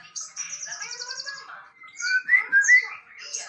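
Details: A male white-rumped shama sings a high buzzy trill lasting over a second, followed by loud clear rising whistles and scratchy notes.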